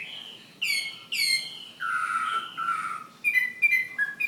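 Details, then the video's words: Chinese hwamei fighting bird from Hà Giang gives a few clear, ringing whistled notes, each sliding downward, with short gaps between them, followed by quick sharp chips. "Họa mi chiến Hà Giang"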